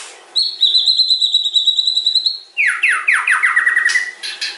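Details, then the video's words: Murai batu, the white-rumped shama, holding a long, steady, high whistle, then a quick run of falling chattering notes. "OCEAN MURAI BATU PASTOL MUNTAH ISIAN PANJANG AUTO CEPAT TERPANCING"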